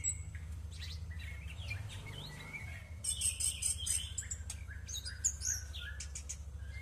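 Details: A thrush sings while bathing in the morning: a varied run of clear whistles, chirps and quick slurred phrases, growing richer halfway through, over a steady low hum.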